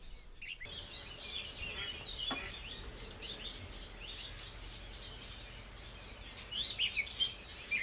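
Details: Eurasian blackcap (Sylvia atricapilla) singing a rapid, scratchy warble of high chirps and twitters that grows louder and clearer near the end, over steady background hiss; a commonly seen bird in the Wangental bird reserve.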